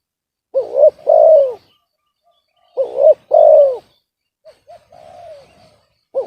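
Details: Spotted dove described as having a discordant voice instead of a big one: two phrases of a hooked double note plus a long downward coo, then faint soft notes and a quiet flat coo.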